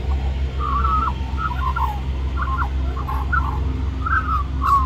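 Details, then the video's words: Wild magpie in Middleton Grange, New South Wales, Australia, singing while begging for mango; soft, mellow warbled phrases of short slurred whistles, evenly spaced, over heavy steady background drone. "Magpie Sings For More Mango"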